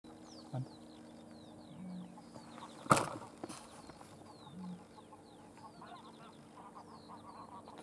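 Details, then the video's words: Eurasian bittern booming at Ouse Fen, Cambridgeshire, UK, on 22 March 2015 at 5:35 pm: a few deep, hollow booms spaced a second or more apart, beneath busy songbird chatter and one sharp knock. "Bittern booming sound"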